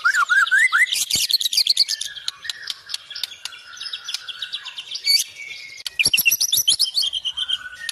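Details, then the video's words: Singing White-rumped shama: opening wavering whistles, then long fast sequences of sharp clicking and chattering notes, rapid high trills and varied phrases. "Beginilah kicauan MURAI BATU SUPER"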